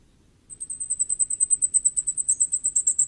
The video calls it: 火冠戴菊的叫聲/Sound of Common Firecrest